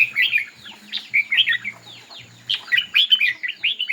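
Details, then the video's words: In a bulbul singing competition, a red-whiskered bulbul delivers crisp, bubbly whistled phrases in two clear bursts split by a short quiet spell, over a faint low hum. "Noog Diab Quaj Zoo Heev ll Chim Chào Mào Hót Đấu."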